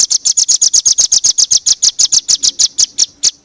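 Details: Bird tutor material with varied fill-in phrases: a series of about twenty crisp, high chirps, each note sharp and bright, repeated quickly at a slightly uneven pace and trailing off at the end.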